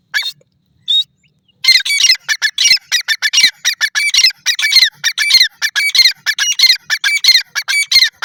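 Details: Grey francolin, or jungle teetar, calling in a rapid, harsh, squeaky series of notes that follow one another closely for several seconds after a couple of brief opening notes.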